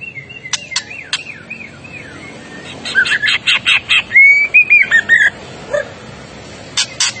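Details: White-rumped shama in an excited, agitated mood, recorded as a tutor for other birds: thin falling whistles, then a run of rapid clipped notes and a bright rising whistled phrase, with a soft background hiss.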